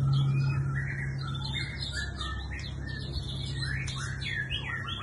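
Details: Singing bird giving a busy run of short chirps and slurred notes, mostly mid to high pitched, over a steady low hum throughout.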